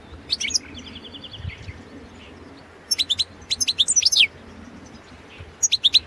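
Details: European goldfinch of the Balkan form (Carduelis carduelis balcanica), a competition recording for the 2017 World Championship in Goldfinch Song: bursts of high, rapid twittering notes and a buzzy trill, separated by quiet gaps.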